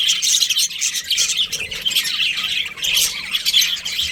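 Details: Breeding-season budgerigars chatter constantly, many birds at once: high, raspy chirps and squeaky warbling notes in overlapping bursts with short dips in between.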